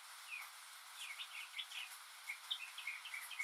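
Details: Northern mockingbird on a rainy day, a mimic of other birds and sounds: a string of quick chirped and slurred notes, repeated in small groups, against a noisy background of falling rain.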